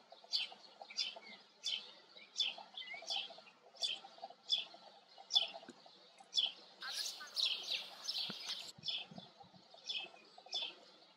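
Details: White wagtail repeating short, high chirping calls roughly every three quarters of a second, with a brief louder burst of mixed noise partway through and a faint low hum beneath.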